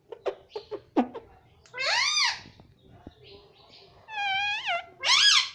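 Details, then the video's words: Young pet rose-ringed parakeet talking and saying "mummy". A few short clipped notes are followed by loud, rich, arched vocal sounds that rise and fall, with three drawn-out phrases in close succession. "mummy bolne wala tota || parrot talking || baby parrot talking"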